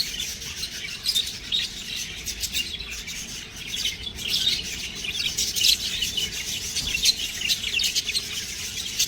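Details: Baby budgerigars keep up a continuous high twittering, many short squeaky chirps blending into a rasping chorus that swells and fades over several seconds.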